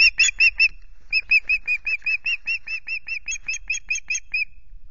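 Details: At a Loch Garten nest holding chicks, 5 July, an osprey gives a long, even string of bright whistled chirps, roughly two and a half per second, after a brief opening burst; nest camera recording, male delivering two fish.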